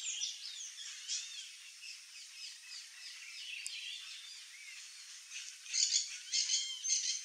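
Sayaca tanager song: a busy run of thin, squeaky, high chirps and twitters, overlapping and nearly continuous, growing louder and sharper toward the end.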